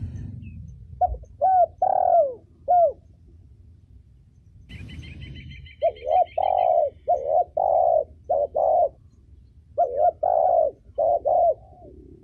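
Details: Female spotted dove used to stimulate birds and train young ones, cooing in repeated low paired notes across the stretch, with a brief high buzzy trill from another bird midway.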